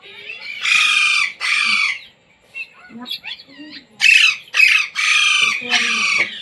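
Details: Pet Indian Ringneck parrot taught to talk, with words like "mummy", "mitthu" and "roti roti"; two harsh screeches, a spell of soft, varied chattering notes, then a rapid series of loud squawks.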